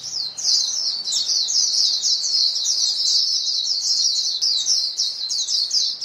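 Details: Continuous high twittering from a group of white-eyes calling among themselves, with many quick, downward-slurred chirps running together.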